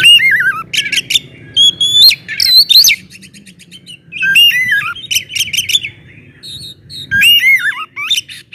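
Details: Kept Oriental magpie-robin in loud, varied song meant to rouse other magpie-robins into singing: bursts of rich slurred whistles and rapid buzzy trills separated by short pauses, with several sweeping falling notes.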